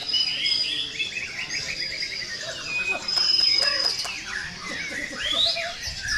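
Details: White-rumped shamas duelling at an early-year bird singing contest pour out overlapping song: long clear high whistles, fast rattling trills and varied chattering phrases, with faint human voices in the background.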